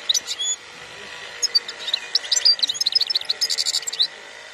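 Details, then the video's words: European goldfinch song in the khalwi style, 2021: a few opening chirps and buzzy notes, then a quick, even series of sharp high twitters and rattling trills, over a constant low hum. "تغريد الحسون خلوي"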